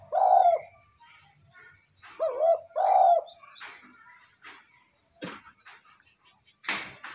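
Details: Cooing of a spotted dove for exciting decoy birds: one hollow coo, then after a pause a pair of deep rolling coos, followed by scattered clicks, knocks and rustling.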